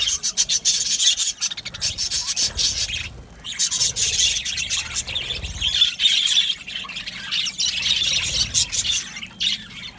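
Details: Aviary full of budgerigars giving loud, crowded chirps and squeaky squawks in repeated bursts, briefly quieter around the middle before the chatter swells again.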